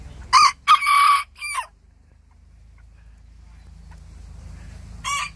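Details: Small bantam roosters crowing back at a big rooster next door: a loud, hoarse, broken crow in three segments, the middle one drawn out, then quiet low rumbling and a shorter crow starting near the end.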